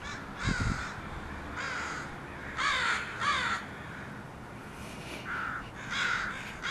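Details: Several crows of a group that has landed at a house raise a racket, with harsh caws overlapping at irregular intervals and a low thump early on.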